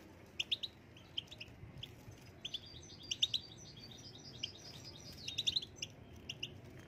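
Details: Young captive European goldfinches, bought the previous week and starting their moult, give short, bright twittering chirps in scattered bursts while learning song, several birds calling over a low background hum.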